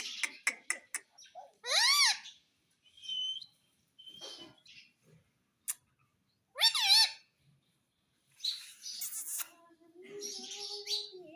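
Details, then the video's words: Pet talking parrot indoors: a quick run of sharp clicks, then two loud harsh squawks with strongly bending harmonics, and quieter chattering and scratchy notes between them. "Talking Parrot"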